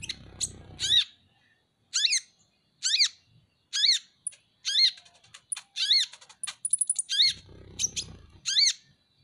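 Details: Van Hasselt's sunbird, known as ninja hummingbird and kept as a pet, giving loud buzzy downward-slurred calls roughly every second, with brief high ticks and low background rumble at start and end.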